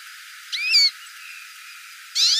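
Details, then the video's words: One crisp call from a hooded siskin, a rising then falling whistled phrase with bright overtones, followed after a pause by the start of another burst. "CANTO DO PINTASSILGO CHAMANDO"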